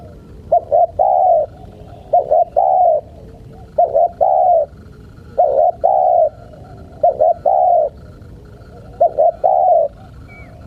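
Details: Spotted dove (tekukur) calling to tease wild birds: five even cooing phrases, each with two quick notes and a sustained coo, repeating roughly every two seconds against quiet background noise.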